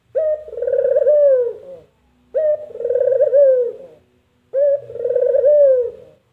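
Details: Spotted dove, known locally as puter, giving three loud, purring coos of about 1.7 seconds each, a short clipped note then a long trilled, falling phrase, repeated roughly every two seconds, in a quiet setting.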